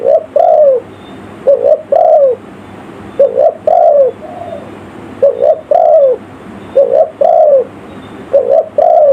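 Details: Lure call of a spotted dove, in the village style, used for calling wild forest birds; six even phrases of a quick two-note coo then a longer downward croo, repeated roughly every one and a half seconds.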